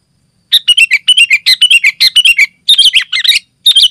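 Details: Sooty-headed bulbul singing densely and energetically, meant to draw wild bulbuls and tutor birds at home; rapid strings of bright, warbled chirps with falling inflections, broken by brief pauses and rising again, clean background.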